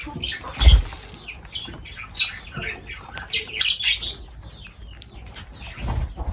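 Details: Pet lovebirds around feeding time, giving sharp, high squawks and chirps in uneven bursts of several notes, with a low thump near the start and faint room noise between calls.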